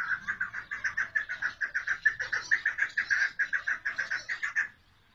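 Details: Female chukar partridge giving a rapid run of hoarse, clucking notes, about two to three per second, steady in pitch, for nearly five seconds.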